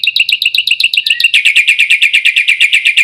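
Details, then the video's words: Black-winged myna producing a rapid, even rattle of harsh repeated notes that speeds up and grows louder midway, continuing without pause. "burung jalak putih"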